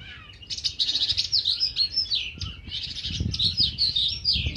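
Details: A captive Bimaculated lark (Melanocorypha bimaculata) in an outdoor aviary in February 2019 sings a rapid, continuous run of high, scratchy, warbled and chirped notes with little pause, over faint low rumbling.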